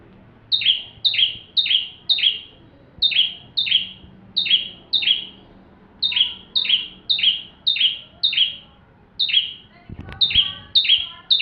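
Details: Bar-winged prinia in full song, a training recording for magpie-robins: steady series of loud descending chips in groups of four, with a brief knock near the end.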